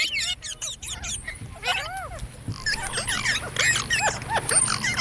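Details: Parrot imitating human speech in dense, overlapping voice-like syllables, arching and dipping notes with clear harmonics, steady chatter throughout over a low background rumble.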